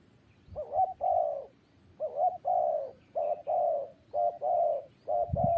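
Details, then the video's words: Low, hollow coo phrases from a spotted dove, each a quick double note leading into a longer descending coo. The phrases repeat about once per second, with a faint low thump near the end. "GELAGAT BURUNG TERKUKUR | SUARA YANG PADU"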